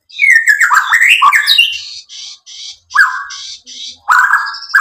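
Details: White-rumped shama song used to stir other shamas to reply: a run of varied whistled slurs, then several harsh, buzzy rasping notes, with brief whistles returning near the end.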